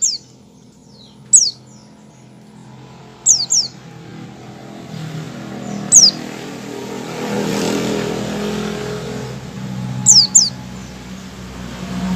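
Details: White-eye opening call before singing, locally called ngecal: high, steeply descending whistled notes, some doubled, every couple of seconds, with a motorcycle or car passing and rumbling through the middle.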